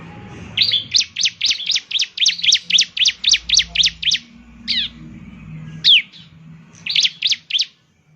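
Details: Bar-winged prinia song used as a lure for a caged bird. A fast, regular run of about a dozen ringing chips, nearly four per second, ends in a few isolated slurred notes and a final trio, with faint low noise behind.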